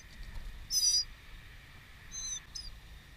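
Northern Mockingbird: one loud, thin, high squeal lasting a quarter second, then two fainter high squeaks, over a steady hiss and low rumble.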